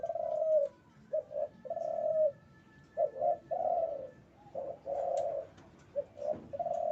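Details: Breeding male spotted dove repeating soft, hollow coos, short paired notes leading into a longer falling note, the phrase heard about four times in quick succession, with a faint steady hum behind.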